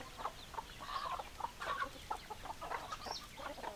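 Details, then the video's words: Hens clucking together, a dense run of quick, clipped clucks and nasal notes at mid pitch, several birds calling over one another, with a short higher squeal near the end. "Chicken Sounds Noises Hens Clucking Roosters Crowing"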